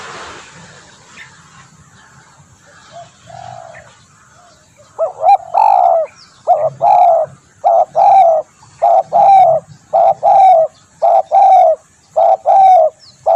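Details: Spotted dove calling, a recording meant for luring birds and tutoring; after about five quiet seconds with faint coos, loud mellow coos begin, short and long notes alternating in a steady series nearly once a second.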